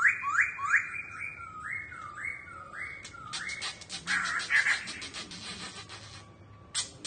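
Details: A kept laughingthrush sings while dancing and fanning its tail: a run of loud, rich whistles, each swooping upward, about three a second, then harsher chattering notes and scratchy bursts.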